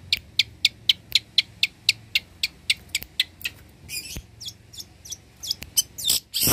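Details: Long-tailed shrike in full song, a skilled mimic of other birds. A steady series of sharp high chips comes about four per second, then breaks into harsh scratchy bursts and a loud rasping ending.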